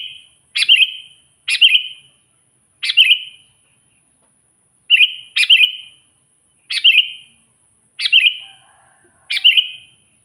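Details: Sooty-headed bulbul calling out to wild rivals: a series of short, sharp chirped bursts that drop into brief whistled trills, repeated irregularly about every one to one and a half seconds, over a faint steady high tone.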